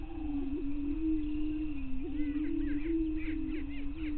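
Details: Greater prairie chickens at a lek on Bluestem Prairie Scientific and Natural Area near Glyndon, northwestern Minnesota, at 5:30 am on May 9, 2023: a steady low moaning drone with overlapping swells, faint higher chatter and background rumble.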